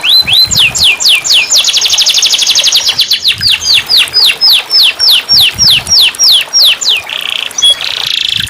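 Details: Canary song for restarting a silent canary's singing: rapid descending sweeps flowing into a dense trill, followed by a long series of evenly spaced clear sweeping notes about four per second, ending with buzzy tones.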